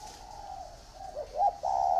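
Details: Caged spotted doves, one in a round bamboo cage and one in an iron cage: a short cooing phrase of mid-pitched, slightly wavering notes, the last two notes louder and more drawn out.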